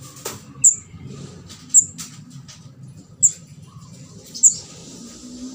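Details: Juvenile orange-headed thrush begging call used as a trapping lure: four isolated high, thin chirps one to one and a half seconds apart, with a click and low steady background noise.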